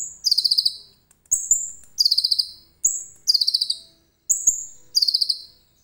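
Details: Common iora in song rich in cililin material, recorded on a phone camera: a steady pattern of one high whistled note followed by a quick descending run of five or six buzzy chips, repeated about every second.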